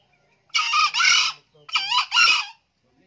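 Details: Green junglefowl crowing twice in quick succession. Each crow is a rough, two-part burst, a brief opening note run into a longer strained one, about a second apart, with near silence around them.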